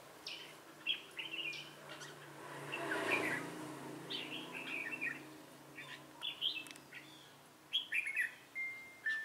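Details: Caged red-whiskered bulbul, 'Ché cười' style, singing as a trapping decoy on 25 June 2018: scattered clear whistled and warbled notes over a soft low rumble, with a thin held whistle near the end.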